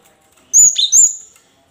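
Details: A cinereous tit phrase of two piercing high whistles, the second sliding down to a lower note, used to prompt lazy caged birds to sing in reply.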